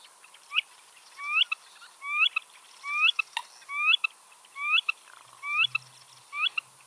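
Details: Eared (Black-necked) Grebe, one of several at a Nevada wetland lake complex: a rising, whistled 'poo-eep' about once a second, with marsh wrens and coots faint in the background.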